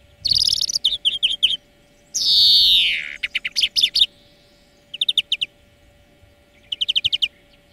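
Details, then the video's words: Greenfinch song used as a training lesson for birds: fast twittering trills, then a long buzzy wheeze falling in pitch, followed by more short bursts of rapid trilled notes. A faint steady hum persists. "Florya Ötüm Dersi"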